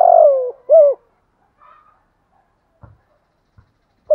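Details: A spotted dove from southern Vietnam gives gù thúc cooing: a long, falling low coo and a short, rounded second coo, followed by quiet with a few soft knocks and another coo starting at the end.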